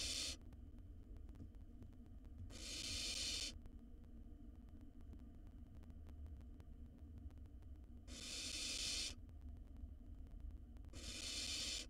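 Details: Nestling barn owl, wild, swallowing a mouse in its nest box: four harsh hissing bursts at irregular intervals against a continuous low electrical hum.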